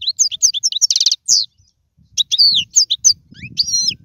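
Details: European goldfinch song offered for teaching young birds to sing: rapid bright twittering trills and buzzy slurred notes in quick bursts, a pause near the middle, then tinkling rising and falling phrases over a soft low rumble.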